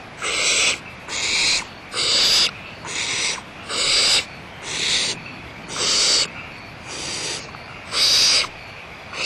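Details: Barn owls at Audubon Starr Ranch Sanctuary, recorded 1 April 2011 around 09:46, give harsh, breathy hissing bursts, each under a second, repeated roughly once a second in a steady series.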